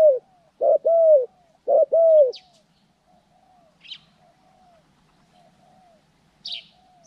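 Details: Spotted dove used in bird-trapping training in Cambodia, January 14, 2020: loud cooing phrases of hoarse, falling notes, two strong bursts then softer repeated coos, with brief high chirps from another bird.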